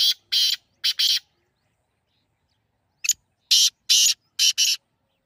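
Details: Partridge calling: loud, harsh, rasping bursts in two groups. Two to three quick notes, a silent gap of about two seconds, then four more notes in an uneven rhythm, with no other sounds between them.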